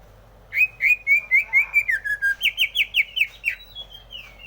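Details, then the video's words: Greater green leafbird sings a rapid, rhythmic series of about fifteen whistled notes. The notes start level, dip, then jump higher into buzzier rolling phrases before ending in a long rising whistle. "Suara Burung Cucak Hijau"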